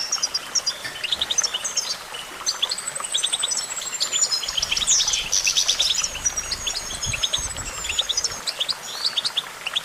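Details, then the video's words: Goldfinch song: a continuous, rapid twittering of high tinkling chirps, short trills and thin drawn-out whistled notes, packed densely through the whole ten seconds with barely a pause, over a faint low background hiss. "goldfinch songbird prowess"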